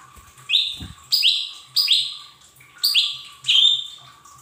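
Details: Cage-bird training lure of a Lesser green leafbird: five loud, descending whistled notes, each sliding down sharply, spaced a little over half a second apart, after a soft thump near the start.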